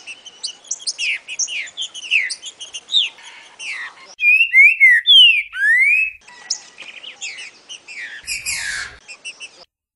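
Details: Rufous-bellied thrush song in boca mole style for training a young bird to sing: busy run of varied chirping and slurred whistles, a middle stretch of loud clear rising and falling whistles, then more rapid notes.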